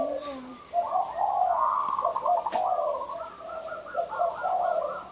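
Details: Zebra dove calling after a short lull: a long chain of quick, stammering mid-pitched coos, alternating slightly higher and lower notes. A soft low note comes before the run and a light tap is heard.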